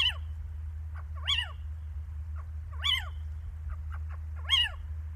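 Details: Little owls in Lichtenvoorde, Netherlands, on 15 January 2024, described as eager and active. Loud, sharp 'kiew' calls come about every one and a half seconds, each dropping in pitch, with fainter short calls between them over a steady low rumble.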